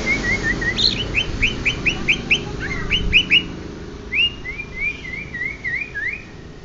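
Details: Genuine Banyuwangi greater green leafbird delivering a lively varied song: clear whistled slurs, a burst of sharp upswept notes in quick succession, then wavy whistled phrases trailing off.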